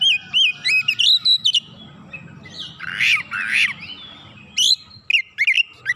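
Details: Oriental magpie-robin answering fiercely with its learned fill-in phrases: fast bright chirps and rising whistles, two loud scratchy rasping bursts in the middle, then a final string of sharp whistled chirps.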